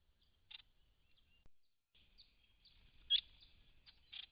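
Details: White-browed woodswallows, part of a large flock visiting a pond in December 2016, give sparse sharp chip notes and short slurred calls, some louder clipped bursts spaced irregularly, against an otherwise quiet background.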